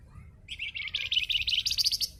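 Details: Spotted crocias, locally flamboyan or wergan jawa, singing vigorously: a quick stream of bright, high, rattling chirps that climbs slightly in pitch and lasts about two seconds.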